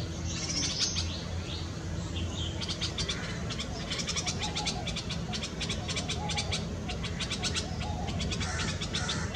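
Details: Red-vented Bulbul feeding its chicks at a nest in a Karaunda bush in a Delhi garden, May 2020, peak summer heat: quick, thin, high chirps in rapid bursts mid-clip, over a steady low background rumble.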